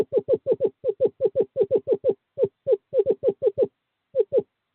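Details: Male screech owl calling a female to nest box 5 in courting season, 2/11/2023: a quick trill of hollow hoots that loosens into more spaced notes, ending with a final pair after a pause.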